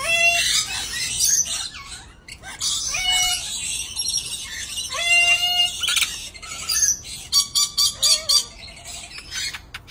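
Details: A pair of dusky lories give harsh, rasping screeches in rapid bursts, mixed with short rising whistled notes with buzzy overtones, both calling at once.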